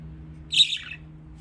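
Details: A pet budgerigar, one of several playing in water, gives a single brief, raspy chirp that slides down at the end over a faint low hum.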